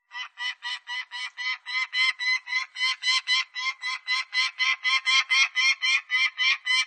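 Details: A peregrine falcon repeats hoarse, harmonic notes in a quick, regular series, about four each second, starting softer and growing louder over seven seconds, with no other sounds.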